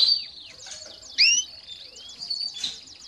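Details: Canary song offered as training for young birds: high thin slurred whistles and curving notes, broken by sudden louder bright phrases, against a quiet background.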